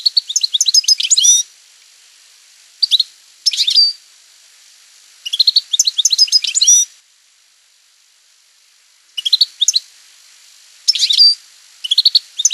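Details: Campero song of a European goldfinch, delivered in separate bursts of rapid tinkling twitters and clipped metallic notes, each phrase lasting one to two seconds with quiet gaps between, clean background.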